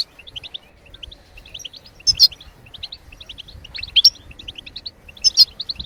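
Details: Goldfinch singing to encourage other songbirds: fast tinkling twitter of short high notes in repeated phrases, punctuated about every one and a half seconds by louder buzzy accented notes, faint low rumble beneath.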